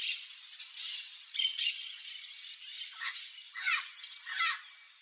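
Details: Pair of Chestnut-eared aracaris foraging for wild fruit in gallery forest of central Brazil; scratchy squawking calls, clustered toward the end, against a dense background of buzzing insects.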